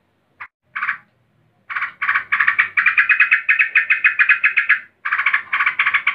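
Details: Agitated female yellow-vented bulbul calling a male. Two or three single harsh notes open the sequence, then a sustained fast chatter of buzzy notes, a short pause, and a final rapid burst.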